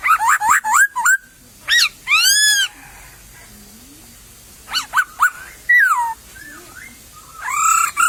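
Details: A wild laughingthrush in a bamboo thicket sings rich, slurred whistles: quick rising notes, then a long arched whistle, a quiet gap, and more descending and rising whistled phrases.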